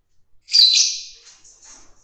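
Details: Fischer's lovebird kept with a group mating in an aviary or cage: a single loud, harsh high screech that fades into softer chirps.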